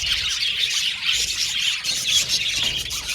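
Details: A budgerigar aviary colony gives dense, overlapping chirps and a few harsh squawks, the high chatter running without a break.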